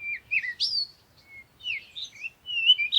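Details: Rapid high chirps and short whistled slurs from birds in the morning at sunrise, coming in quick, uneven succession.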